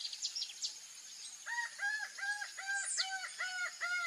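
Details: Laughing falcon (Herpetotheres cachinnans), called acauã in Brazilian folklore for its ominous song: after scattered high bird chirps, a run of seven evenly spaced, hollow, down-curved notes begins and carries on steadily.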